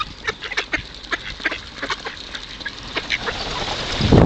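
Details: Hungry ducks being fed at the Kirchsee lake in Preetz: a busy flock gives a dense stream of short, rasping quacks and chatter, overlapping in quick bursts, with a low rumble of handling noise at the end.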